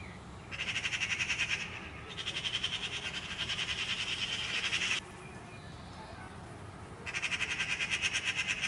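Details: Eurasian magpie chattering: dry, machine-gun rattles of fast repeated notes, one short burst, then a long three-second run and a final burst, over low background rumble.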